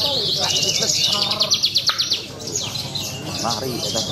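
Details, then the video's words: Javan bush lark singing at a songbird contest: a high, dense run of rapid repeated trills and chirps, a burst of evenly pulsed notes mid-way, with other birds and faint voices in the background. "BRANJANGAN GARUDA MAS MAIN APIK - MUNTAH TONJOLAN"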